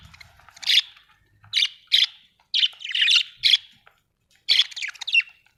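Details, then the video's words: Australian budgerigar giving rasping chirps. Short, coarse notes come singly or in tight pairs, separated by brief pauses, and some end in a faint whistled tone. A quiet low rumble sounds at the start. "budgie chirping sound"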